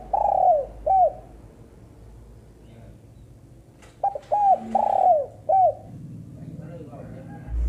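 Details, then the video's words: Low mellow coos from a female spotted dove, heard as two phrases. A falling coo and a short note come first. After a pause comes a fuller run of quick notes, a long buzzy coo and a closing hooked note. A steady low background hum. "burung tekukur betina"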